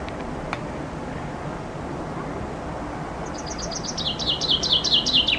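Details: Common chaffinch under a window in summer, recorded from a loggia on a compact camera; after a quiet background a rapid series of high chipping notes begins and grows louder, descending gradually.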